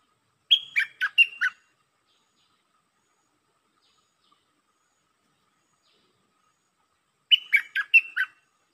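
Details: Red-whiskered bulbul in lakboen (double) style song: two quick bursts of four or five rich, warbled whistled notes about seven seconds apart, separated by silence.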